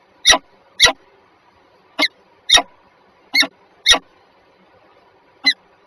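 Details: Peregrine falcons, a pair, recorded at Żerań in Warsaw, Poland, 14 February 2023 at 7:47. Eight harsh scratchy squeals come in loose pairs over six seconds above a soft background hum.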